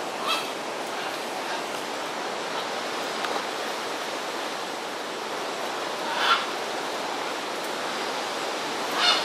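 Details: Three harsh, raucous squawks from a scarlet macaw in Corcovado National Park, Costa Rica, spaced several seconds apart, over a steady roar like distant surf or wind.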